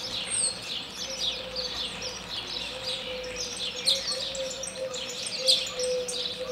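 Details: Common (European) starling, Moldova, singing a rambling, unbroken improvised medley of high clicks, creaky rattles and thin whistles, shifting constantly over a faint steady low hum.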